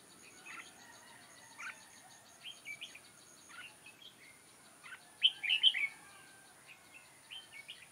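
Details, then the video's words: Decoy red-whiskered bulbul during trapping, 6 October 2018: many short warbled notes scattered throughout, with one loud, bright cluster of slurred whistles near the end and faint answering notes. "Bẫy chào mào Mào đá lân hầu bò nết căng xòe"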